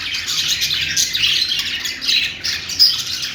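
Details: Budgie song heard as busy, overlapping high chirps and raspy squawks, with a sharp whistled note near the end above the steady twittering.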